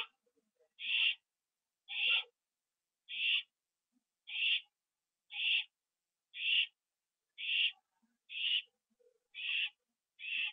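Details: Owl at the nest, 9:54 PM, October 9, 2011, as a bird brought in as prey is eaten inside. Even series of short, quiet hissing bursts roughly once a second, with faint rustling between them.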